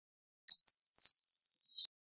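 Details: A single Eurasian blue tit phrase: a few high stuttering notes descending into a fast, even trill lasting under a second.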